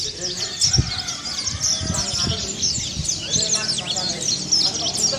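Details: Mountain white-eye from Kelud in unbroken twittering song for training: high rapid chirps and short whistled slurs continue steadily, punctuated by several dull low knocks.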